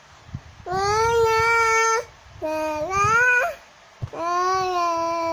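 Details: Singing cockatoo giving three sustained tonal notes, the middle one stepping upward in pitch partway through, each note bright with stacked overtones and divided by brief silences.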